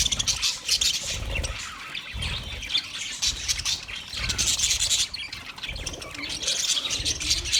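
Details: Budgerigar flock chatter: a steady wash of high, scratchy chirps and squawks, rising and falling in intensity, with recurring low thumps beneath.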